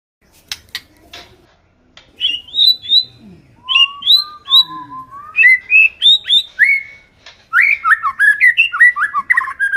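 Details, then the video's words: White-rumped shama from a village, singing energetically: a few sharp clicks, then bright repeated whistled phrases, a low slurred whistle, and a closing burst of quick, tumbling warbled notes. "MURAI BATU KAMPUNG GA SANGKA NGAGETIN SUARANNYA GACOR"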